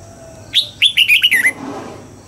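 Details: Caged red-whiskered bulbul being trained to sing at dawn, a forceful double-note wild-style song: a sharp high whistle, then a quick run of four or five rich, slurred notes falling at the end, over quiet background.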